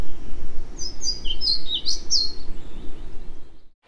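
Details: In ancient oak, birch and hazel Celtic rainforest in mid Wales in spring, a Pied Flycatcher sings one short, sweet, chiming phrase of high see-sawing notes under two seconds, recorded with a homemade parabolic mic, over a low rush.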